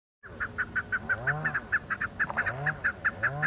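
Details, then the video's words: Chukar partridges calling in the hills of Budgam, Kashmir, in October 2021, giving a fast, steady series of harsh chuck notes, about five or six a second, over a low background rumble. "Chukar patridges calling"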